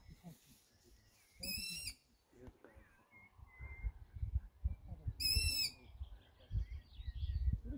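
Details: Three Long-eared Owl chicks calling on 8 June 2020: two short, high, wheezy squeals like a squeaky gate, about four seconds apart, over low rumbling handling noise and rustling.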